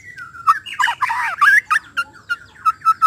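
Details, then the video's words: White-rumped shama sound said to provoke the bird into quickly showing its learned repertoire; a series of short whistled notes repeated about every quarter second, broken by a burst of harsh, jumbled chattering phrases. "TERNYATA SUARA INI DPT MEMANCING MURAI BATU CEPAT BONGKAR ISIAN"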